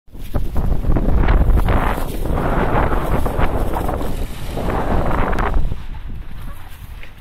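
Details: Strong wind buffets the microphone over rumbling water and boat noise, with no animal voices.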